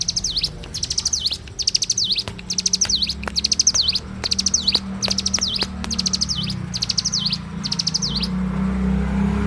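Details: Bar-winged prinia in vigorous morning song, delivering about ten phrases in a row, each a rapid string of high, sharp notes closing with a dipping, rising slur, almost one per second, over a low hum.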